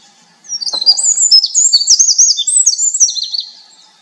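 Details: Winter wren song beginning after a short pause: a long, rapid sequence of shrill, tinkling trills and wavering high notes lasting about three seconds, then silence.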